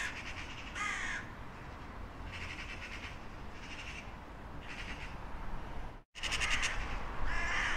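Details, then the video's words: Crow calls from a compilation: rough, grating caws spaced about a second or more apart over broad background noise, with a brief cut to silence before louder, closer caws. "Sunete de ciori. Sunete de pasare cioara."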